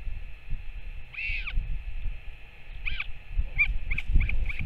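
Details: Parent northern royal albatross feeding its chick, 21 May 2024: a long arching cry, then shorter down-curving calls and a quick run of clipped chirps, with wind buffeting throughout.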